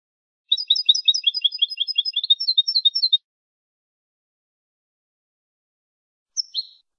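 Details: Clean competition-style European goldfinch song recorded in Málaga in 2020 for training birds: a fast, even string of high tinkling double notes for almost three seconds, then a short pause and one sharp closing chirp.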